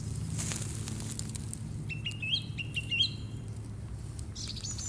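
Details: Song thrush singing in March 2018: a short series of clear, repeated whistled notes, the same phrase given several times in quick succession, over a steady low rumble of background noise.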